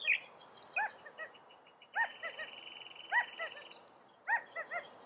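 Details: California quail calling: short arched notes with a layered, rich tone, given in bursts separated by pauses, while a thin high buzzy trill runs steadily through the middle.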